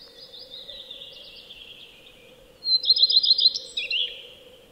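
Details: Common redstart song from a Finnish nature sound record: a thin, high, drawn-out whistle, then a loud burst of about six quick, bright repeated notes, ending in a short, lower scratchy flourish over a steady low hum.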